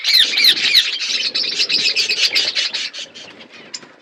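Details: Budgerigar flock eating food, giving rapid high chirps: a few clear arched notes at first, then a fast continuous chatter of many birds that fades toward the end.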